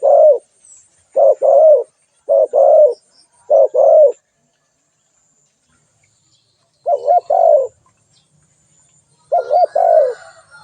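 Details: Calling spotted dove: four quick two-part cooing phrases in a row, a pause of nearly three seconds, then two more coos. The notes are low, hollow and slightly wavering, over faint distant chirping.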